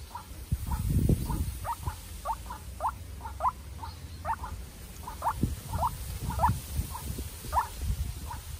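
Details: A young captive-bred decoy white-breasted waterhen, facing a wild bird in a fierce contest, gives short, rising, squeaky notes, two or three a second in a steady run, over low thumping and rustling.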